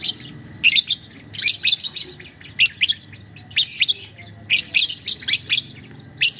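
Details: Lovebird, a young bird, in long ngekek chattering song used as a training master: dense, high, buzzy chirp bursts about once a second, each a rapid rattled run of notes, over a quiet low hum.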